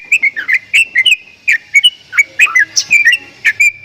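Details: Javan myna making strange sounds: quick series of short whistled chirps, some rising and some falling, each with a sharp click, given about four times a second with brief gaps.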